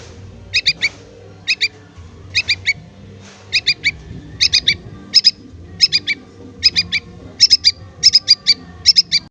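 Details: Yellow-vented bulbul nestling calling to its parent with a long run of rapid chirp triplets, some notes piercingly high and squeaky, bursts coming closer together toward the end; low background hum.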